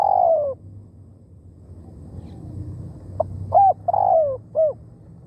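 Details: Spotted dove used as a decoy bird, cooing: a long falling coo tails off, a pause follows, then a new phrase of clipped notes, a long sliding coo and a final short coo over low background noise.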